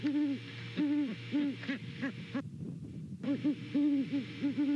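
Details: A pair of Great Horned Owls hooting to each other while checking out a nest in Savannah on a November morning; a series of low, even hoots, with many notes before and after a short silent gap, over a steady low hum.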